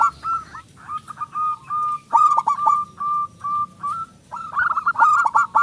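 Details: Loud local zebra dove song meant as a lure for silent or young doves: sustained level coos interrupted by quick hooked notes, ending in a fast clustered run.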